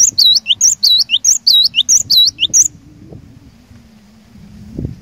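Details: Cinereous tit (glatik batu) lure singer, intended to trigger song in rivals: a rapid run of high, piercing two-note phrases for about two and a half seconds, followed by near silence with a faint low hum.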